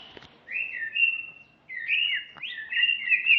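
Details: Long smooth whistles from a female greater green leafbird: a sustained clear note dropping slightly, a pause, then two more drawn-out whistled phrases with upward flicks.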